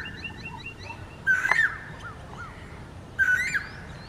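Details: Male Asian koel with two loud, rising whistled calls about two seconds apart, each ending in a brief wavering flourish, while other small birds chirp softly in the background.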